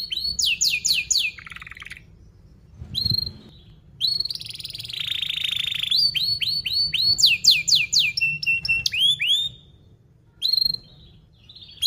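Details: Canary lure song for training young birds: bursts of sweeping chirps, a buzzy roll, ringing upslurred whistles, separated by short pauses.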